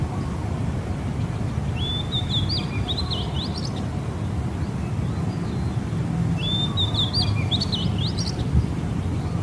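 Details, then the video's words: Morning song of a tiny bird, heard as two bright, high twittering phrases of rapid up-and-down notes, each lasting about two seconds, against constant heavy low-pitched noise. "เสียงนกตัวกระจิ๊ดเพราะๆ ยามเช้า"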